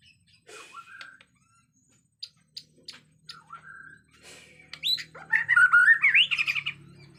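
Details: Agitated Bornean white-rumped shama amid natural forest sound: soft short whistles and sharp clicks at first, then a loud fast warbled, chattering phrase rising and falling in the second half, with a low hum beneath.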